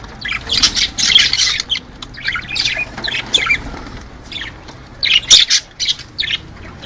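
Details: Budgerigars giving calls said to stimulate mating: dense, overlapping chirps and harsh squawks in bursts, with brief lulls between busy passages and a quieter stretch in the middle.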